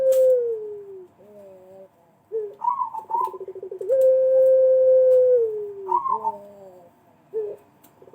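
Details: Pelung collared dove calling as a lure to get other doves to call. Drawn-out coos fall slightly at the end, separated by short bent notes and a buzzy pulsed phrase. Repeats in cycles of about four seconds, recorded indoors.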